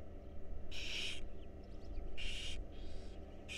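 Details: Barn owl owlets in a wild nest box at mealtime, loud hissing rasps about half a second long, a softer one following, faint squeaky chitters in between, low hum in the background.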